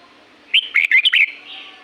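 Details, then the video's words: Red-whiskered bulbul singing in natural forest at Pa La-u, Thailand: one quick phrase of five or six chirpy, slurred whistled notes that dip and rise, followed by a soft warbling tail. "เสียงนกกรงหัวจุก จากป่าละอูแท้ๆ เสียงดี เสียงเพราะ จากธรรมชาติ"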